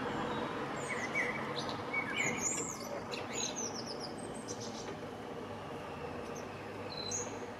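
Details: Eurasian blue tits, a breeding pair using a nest box at Anglet, France, in spring 2020, the male bringing food to the female; short, thin, very high chirps come in quick, irregular bursts over a steady low background rumble.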